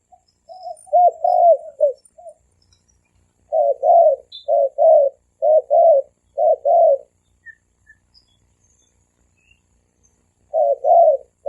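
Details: Spotted dove pair, male and female, giving thổ kim style coos for luring wild doves: mellow low notes paired into quick double hoots, a steady run of five pairs after an opening phrase, then a long pause.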